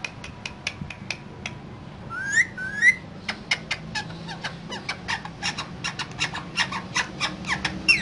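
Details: Green parrots, a pair kept in a cage and said to be talking: steady clicking chatter runs throughout, broken by two loud upslurred whistles near the middle. Faint indoor hum behind.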